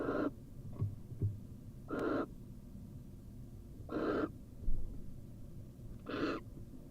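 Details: Wild female barn owl incubating seven eggs inside a University of Florida nest box while swallowing a whole vole; four raspy, breathy hissing bursts arrive about every two seconds, with small thumps and rustles between.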